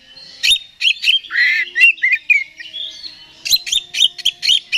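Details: Oriental magpie-robin song used to make another bird agitated: a run of rapid, high chirps and buzzy, scratchy notes, then a smooth whistle and a fresh burst of sharp repeated chirps.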